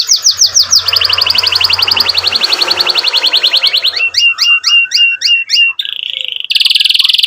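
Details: Canary in energetic song, for teaching young canaries and coaxing silent ones: fast descending sweeps merging into a long rolling trill, then paired chirps repeated about twice a second, ending in flat buzzy trills.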